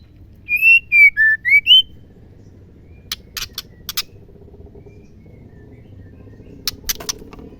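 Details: Female white-rumped shama, kept bird, calling to stir males into singing: four loud, pure whistled notes, each sliding slightly up or down, followed by scattered sharp, dry clicking chips.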